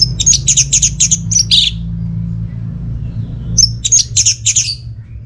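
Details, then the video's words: Orange-headed thrush song meant to coax quiet birds at home into singing: rapid runs of high clipped notes repeated several times a second, two bursts separated by a pause, steady low hum beneath. "ANIS MERAH Mau Nyaut Gacor"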